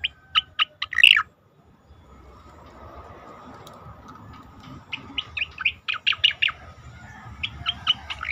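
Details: Asian pied starling song recorded to train competition birds: a loud opening cluster of sharp chirps, a short silence, then a lively stream of crisp, varied whistled notes building toward the end.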